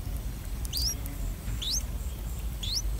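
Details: Streak-eared Bulbul chicks, three days old, begging for food in the nest in a water jasmine tree as their parents feed them: thin, squeaky, upward-sliding notes about once a second, three in all, over a low background rumble.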